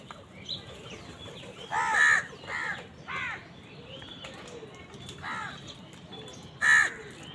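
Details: Crows fighting other birds for food, angry: a run of harsh, grating caws, two or three close together, then a pause and more, ending in one loud caw.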